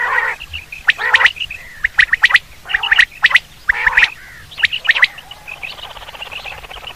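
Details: Hunting quail sound: repeated groups of crisp chirps with hoarse squawks, roughly one group per second, ending in a softer, raspy murmur.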